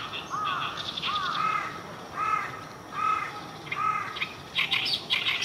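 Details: Morning song of an Oriental reed warbler, recorded 9 June 2023. Harsh, rasping two-part notes repeat roughly once a second, then give way to squeaky, shrill bursts at the end over faint background noise.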